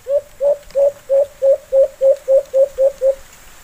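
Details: White-eared brown dove, a wild bird answering a kept one, giving a quick run of eleven even, mid-pitched hoots with a slight rising lilt, repeated roughly every 0.3 seconds and fading at the end, against quiet background.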